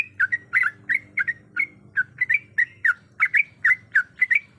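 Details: Female sooty-headed bulbul in breeding condition calling a male: short, sharp chirps near the same pitch, given in quick irregular pairs and bursts about twice a second, over a faint low hum.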